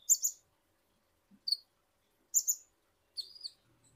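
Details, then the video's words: Ninja hummingbird (kolibri ninja) from Indonesia, in a recording used to coax birds into song: sparse, very high double chirps and a short buzzy slurred note, spaced about a second apart with quiet gaps. "Pancingan Super Ampuh Konin Bahan Auto Gacor | Kolibri Ninja Gacor"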